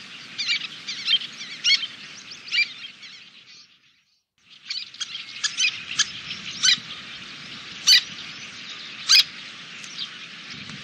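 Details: Little tern colony in Kobe, Japan, 26 June 2016, a dozen or so birds with fledglings grown to adult size flying from the nesting site: dense high chattering calls with sharp loud notes every second or so and a brief lull.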